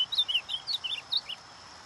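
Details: A captive tournament ultramarine grosbeak (azulão), recorded to warm up other birds, sings a quick run of high, sweet chirped notes, about eight in just over a second, then falls silent against faint background hiss.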